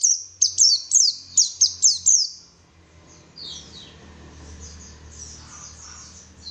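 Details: Lure recording of white-eye song meant to spur caged white-eyes into lively singing: seven quick, piercing, falling chirps in two seconds, then faint, distant high twitters over a low rumble.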